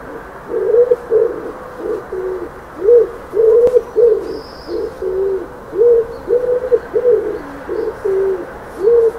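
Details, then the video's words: A dove gives soft, low hooting coos in a steady run of short phrases, several overlapping, with a faint high chirp from another bird. "Dove Calling Sound Effect"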